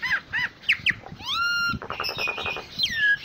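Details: Jalak Nias, the common myna, in a varied full-isian song: quick looping whistles, a long rising pure whistle, then a rapid harsh rattling series and a final descending whistle.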